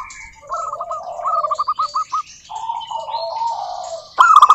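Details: Local zebra dove in song, used to lure other doves into singing: bursts of rapid, evenly spaced cooing notes forming trilled phrases, with a second lower dove voice beneath and a few sharp clicks near the end.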